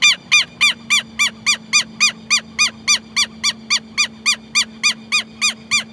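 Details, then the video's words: Southern lapwing (quero-quero) calling: a steady, even series of harsh, nasal, harmonic notes, roughly three and a half per second across six seconds, over a faint low background hum. "Quero Quero Cantando"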